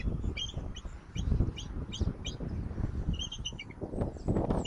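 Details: Bald eagles at their nest in Southwest Florida, picked up by a live nest camera on 10 October 2024 in late afternoon: quick series of short, high chittering notes, a brief pause, then another burst, over a heavy low rumble of wind and nest bumps.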